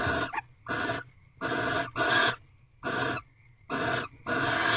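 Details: Mating barn owls inside an owl box in a corral at 5:23 am on 3/8/23: rhythmic raspy hisses, about seven bursts each under half a second, spaced fairly evenly.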